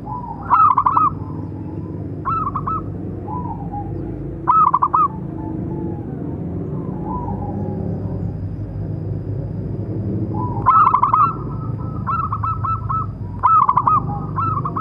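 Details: Local zebra dove's big-voiced calling song, used to train and provoke other doves; short stuttering coo phrases repeat every few seconds, a louder run near the end, softer doves between and a constant low rumble.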